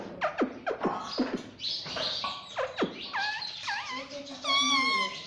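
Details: Pet parrot trained to say "mummy": loud swooping calls that drop sharply in pitch, several in quick succession, then wavering voice-like notes and a final sustained, vibrating squawk.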